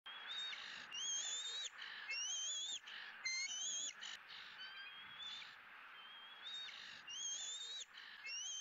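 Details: Bald eaglet in a Southwest Florida nest on 20 April 2017, squealing with joy as its second fish of the day arrives. High, thin whistled squeals, often in pairs, repeat about once a second with little pause.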